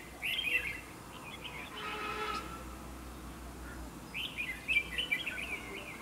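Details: Bright, bubbling warbled phrases from a Red-whiskered bulbul used as a decoy in a fighting trap, one burst at the start and another after a pause of several seconds, over faint background noise.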